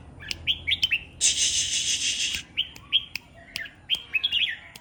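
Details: Morning song of a caged red-whiskered bulbul put out in the dew: quick, rising whistled phrases broken by a loud burst of rushing noise, then more chirpy whistles, with scattered clicks around them.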